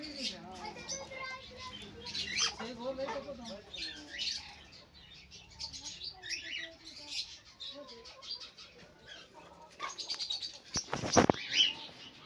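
Sun conures chatter with harsh squawks and rising, warbling notes, ending in a loud shrill screech.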